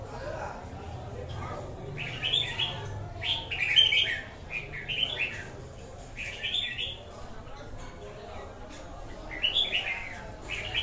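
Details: Red-whiskered bulbul singing in short bursts of bright warbled phrases, each about a second long, separated by pauses, over a low steady background hum.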